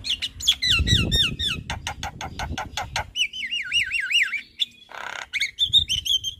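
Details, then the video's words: Javan myna singing its full varied repertoire in daytime in front of a house: rapid repeated wavy whistles, harsh broadband clicks and rattles, a long looping warbled phrase, then squeaky notes, with low rumbling background noise. "Suara Burung Jalak Kebo GAcor Bongkar Isian Siang Hari Di Depan Rumah"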